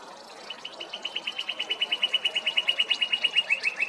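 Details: Male northern cardinal in song, which serves to claim territory or court a mate: a steady run of quick, bright, identical notes that starts after half a second and ends with a few slightly lower, slurred notes.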